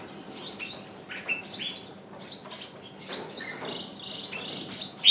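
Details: A caged decoy bird calls to lure wild birds, which still do not come in. Rapid, dense high chirps and short downslurred notes follow one another in quick overlapping bursts throughout, with a faint low hum underneath.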